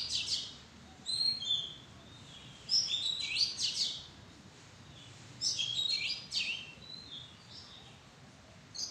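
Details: Oriental magpie-robin calling from the foliage of a madan tree: thin, high chirps and squeaky notes in short clusters separated by quiet gaps, with a soft background hiss.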